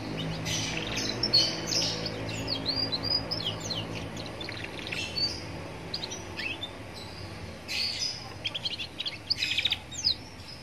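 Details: Roadside young canary song meant to make other canaries answer: clustered bursts of high sharp chirps and short trills separated by quieter gaps, with steady low background noise.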